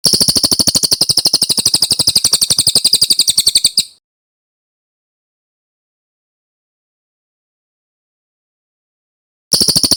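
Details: Brown cililin in a master recording for training birds, described as clear: a fast, even series of high, sharp notes at about four per second for four seconds, then a pause before it starts again.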